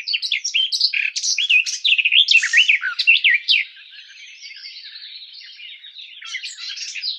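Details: Garden warbler delivering a brisk, tumbling warble of varied slurred notes for about three seconds, then quieter, thin sustained notes and faint twitters follow.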